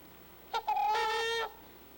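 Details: Trumpeter swan contact call, which parents use to keep the family together and young from getting lost: a brief nasal note followed by one sustained, brassy, trumpet-like honk lasting nearly a second, steady in pitch.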